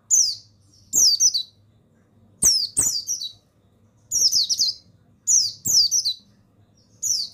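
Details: Mountain white-eye, a male of the buxtoni form, used as a training recording for other birds; shrill high chattering phrases repeated every second or so, each quickly falling, with brief sharp ticks between them.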